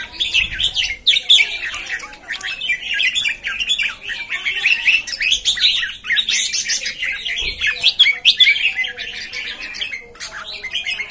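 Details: Newly arrived red-whiskered bulbuls (jambul), 13 June 2019, keep up a steady chorus of quick chirpy warbles and short whistled notes, overlapping without pause, with faint low thumps near the start and middle.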